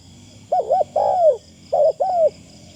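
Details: Decoy spotted dove with a thin, pleasing call: two close coo phrases, a wavering double hoot then a long falling note, low and mellow, with a faint high continuous tone behind.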